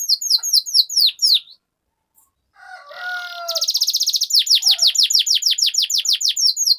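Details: Canary rolling song meant to coax another canary into singing: rapid high falling notes, a pause with soft lower whistles, then a long fast trill running into repeated sharp descending sweeps.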